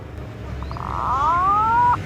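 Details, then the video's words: Adult green pigeon giving one long, clear whistle that starts with a few short pulses and then glides slowly upward and holds, with a steady low hum behind it. "Suara Burung Punai Dewasa"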